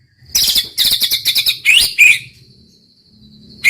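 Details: Murai batu, the white-rumped shama, delivering bright, high, scratchy chattering notes in quick bursts, then a thin sustained whistle trailing into near silence before one last sharp note.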